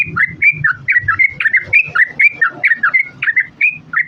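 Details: Yellow-vented bulbul female calls to the male, played to draw other bulbuls into answering: lively stream of short warbled whistles, rising and falling, delivered rapidly and unevenly, with low murmuring noise underneath.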